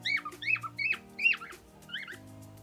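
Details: Happy cockatiels singing in Nepal: a string of five short whistled notes, each dipping down after a bright start, evenly spaced, over a steady background of music.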